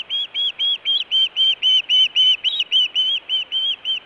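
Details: Osprey on a Montana nest in June 2017, food calling or alert calling around a fish delivery. Loud whistled chirps repeat rapidly, nearly four per second, each note slightly arched, forming an unbroken series.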